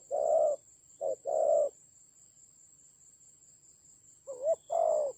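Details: A decoy spotted dove in a fierce fight in Vietnam's Central Highlands gives a few low coos, a short-long pair, a two-second silence, then a wavering note and another long rough coo; a faint high whine stays throughout.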